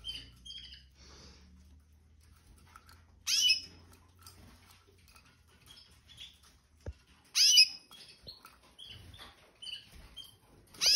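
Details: Caged Red Factor Canaries, two adult pairs with their spring 2023 young, molt nearly complete, after cage cleaning and fresh seed: sharp, high chirping bursts near three, seven and eleven seconds, with soft scattered twitters between and a quiet room.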